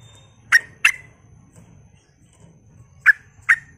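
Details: On a lure meant to provoke other bulbuls, a sooty-headed bulbul gives a pair of short, bright notes, then after about two seconds another pair, over a soft low rumble.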